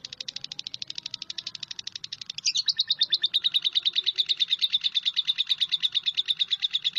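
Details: A lovebird's quick stream of high chirps begins softer, then turns abruptly louder after a short squeak and continues as a steady, fast, piercing chatter.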